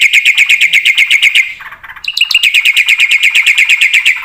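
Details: Black-winged starling singing busily in full fill-in style. Steady rapid bursts of bright whistled notes come almost three per second, soften and blur for a moment, then resume as a sharp pulsing series.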